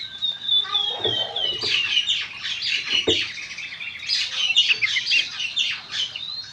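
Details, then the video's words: Dense, rapid Oriental magpie-robin song, presented as therapy to make magpie-robins sing, packed with high chattering and squeaky notes, opening and closing with a thin drawn-out whistle. "suara burung kacer gacor konslet ini ampuh buat terapi kacer agar bunyi"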